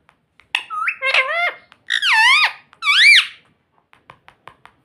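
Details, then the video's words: Indoor pet parrot that talks, saying mummy and papa: three loud, squeaky, speech-like phrases with swooping inflections over about three seconds, followed by soft repeated clicking and tapping. "mummy bolne wala tota - Papa Bolne Wala Tota - Talking parrot"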